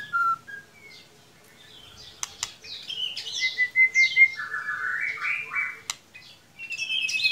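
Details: White-rumped shama lure song for stimulating a quiet young bird: varied whistles, a short rapid trill, buzzy descending slurs and a few sharp clicks.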